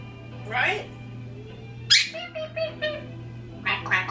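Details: Indoor pet parrots, an African grey aged 26 and a Quaker parrot aged 16, left alone and vocalising: raspy speech-like phrases and a harsh burst, followed by a run of short harmonic syllables, with a constant low hum.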